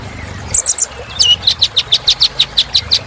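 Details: A kolibri ninja sunbird sings a filler phrase meant to energise birds: a few high chips, then an even, rhythmic series of sharp notes, roughly five per second.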